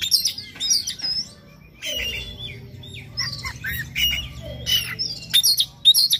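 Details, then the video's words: Varied morning song of an Oriental magpie-robin, used to stimulate another bird to sing; dense, restless sequences of buzzy chatter, sliding whistles and sharp clicks pouring out with barely a break. "PANCINGAN KACER PAGI HARI AGAR NGOTOT NGEPLAY BONGKAR ISIAN"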